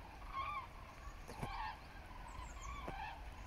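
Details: Migrating common cranes flying over Frankfurt am Main-Preungesheim toward the west-southwest, 17 October 2023, 14:45, cloudy and hazy, recorded by smartphone; several rolling trumpeted calls in separate bursts, with a sharp click and background city hum.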